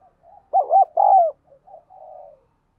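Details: Decoy spotted dove pressing wild doves to come quickly: quiet lead-in coos, a loud cluster of two or three hollow notes, then fainter trailing murmurs.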